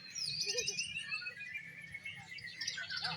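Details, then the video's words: Oriental magpie-robins singing at a bird song competition, performing in an exotic style: dense, fast, high chirps and whistled phrases overlap from several birds, with rapid varied notes and a low background murmur. "LOMBA BURUNG KICAU KACER -KACER TAMPIL GAYA EXOTIS"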